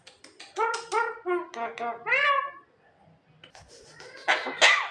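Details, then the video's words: Female Javan myna, a bird said to be able to talk, making many cough-like sounds: a rapid series of short, harsh, harmonic-stacked notes, then a pause and a louder rasping burst at the end. "suara jalak kebo kebanyakan batuk"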